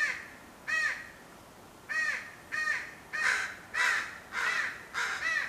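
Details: Baby crow cawing and arguing with a parent crow, apparently over food; rough, drawn-out caws repeat roughly every half to one second, later ones longer and noisier, with no other clear sounds.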